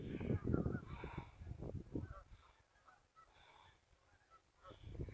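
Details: River geese heard on a short afternoon scouting trip dated 12 11 17: loud bursts of clamorous honking at the start, then fainter, spaced honks over low rumbling wind noise.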